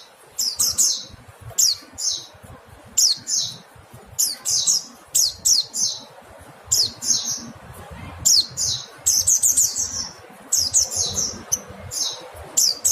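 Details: Repeated thin, high-pitched, descending calls from a mountain white-eye for tutoring songbirds, arriving in short bursts every second or so over a steady low background murmur.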